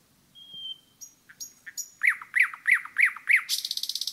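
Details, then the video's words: Common nightingale singing in a forest: a long pure whistle, several sharp clicking notes, then five loud identical rising notes at an even beat before a fast dry rattle to close the phrase. "пение СОЛОВЬЯ в лесу"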